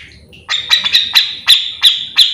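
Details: Grey-cheeked bulbul (cucak jenggot) singing continuously, a recording meant to tutor or lure other birds of its kind: seven sharp, harsh notes about 0.3 seconds apart over a steady buzzy high tone, quiet background.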